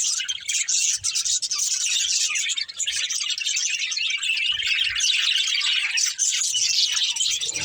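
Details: Chirping from a budgerigar family while playing: busy overlapping high twitters and warbles, steady and unbroken. A few faint low knocks sit underneath.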